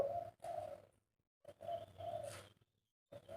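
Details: Captive spotted dove giving repeated low, soft coos in short bursts with brief pauses, over a rough background hiss and faint clatter.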